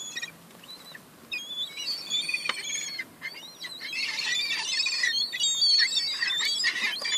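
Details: Young seagulls fighting over crumbs, with high piping whistles at first, building into a busy, overlapping clamour of shrill squeals and harsh cries that grows louder toward the end.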